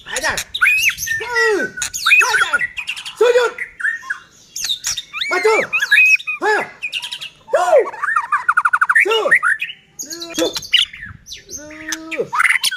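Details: Kept white-rumped shama in full vigorous song, played to provoke other shamas into singing: loud varied phrases of arching whistles, rich harmonic swoops and harsh chattering notes, delivered almost without pause.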